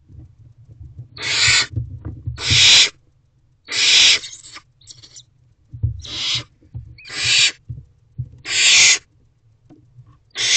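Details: Hungry barn owl owlet in a nest box, waiting for its parents to bring food, recorded 4 May 2023 at 8:26 pm. It gives harsh, breathy hisses, each about half a second long, seven in ten seconds, over a low steady hum.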